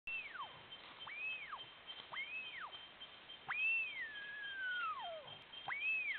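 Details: A male blue-billed curassow (Crax alberti), recorded January 2021, gives clear arched whistles, rising then falling, about five in six seconds, one drawn into a long descending slur.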